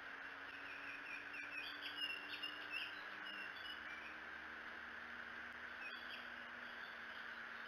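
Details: Young bald eagle, an eaglet venturing out onto the skywalk at the Decorah nest on 14 June 2018; a run of short high squeaky chirps and whistled notes repeated in bursts over steady wind-like hiss and a low hum.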